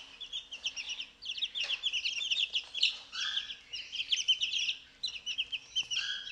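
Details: Young chicks, two weeks old, feeding on mealworms outside their brooder; quick trains of high chirps in bursts, with occasional lower, softer trills between them.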